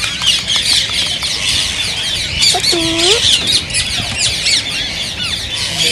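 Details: Rose-ringed parakeets, called green ring-necked parrots, calling to prompt singing and mating: a steady high, scratchy chorus from many birds, broken midway by a lower, drawn-out, wavering call lasting under a second.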